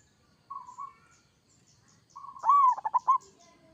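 A zebra dove gives a soft mid-pitched coo, then a quick burst of rolling, stuttered cooing notes that rise and fall. The background is quiet.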